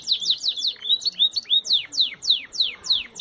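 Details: Belgian canary singing a slower phrase of clear, high, arched whistles, each sweeping down steeply, spaced roughly a third of a second apart, with a quiet background.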